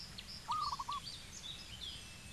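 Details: Zebra dove in Cambodia giving a quick burst of five soft, low, rolling coo notes, with thin high chirps of other small birds and steady background hiss.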